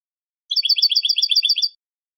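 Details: Simple 'bibleo' phrase from a European goldfinch's basic song: one trill of about a dozen quick, high, metallic notes in just over a second, with silence before and after.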